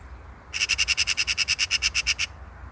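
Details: Eurasian magpie (Pica pica) giving a harsh, dry chattering rattle: about fifteen rapid, evenly spaced scratchy notes run together over less than two seconds, with a faint low rumble underneath.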